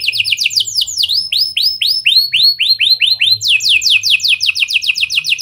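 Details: Lure song of a canary imitating lovebird and prinia phrases to spur other canaries: rapid falling notes, then a run of slower upward-curling whistles, then quick descending sweeps again, loud and continuous.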